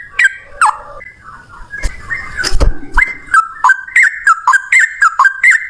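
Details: Male yellow-vented bulbul in fighting song: a couple of sharp slurred notes, a burst of scraping noise, then a steady series of quick, bright two-part chirps about four per second.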